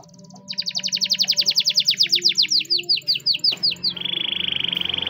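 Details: Spanish Timbrado canary singing a training song: a long run of rapid high downslurred notes repeated several per second, then a steady buzzy trill, over a soft low hum.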